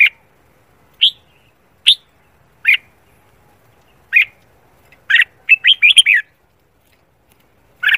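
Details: Red-whiskered bulbul giving morning song for singing-competition training: single whistled notes roughly every second, then a dense flurry of six quick phrases, and one more note at the end; no other sounds.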